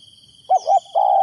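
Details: Spotted dove kept as a decoy, cooing to draw wild doves: a single phrase of two short mellow notes, a brief break, then a drawn-out level coo, with a thin insect drone behind.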